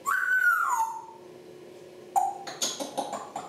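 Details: Captive African grey parrots making noises: a clear whistled note that rises, holds, then falls away, then after a pause a burst of short, scratchy, chattering sounds, with a low indoor hum underneath.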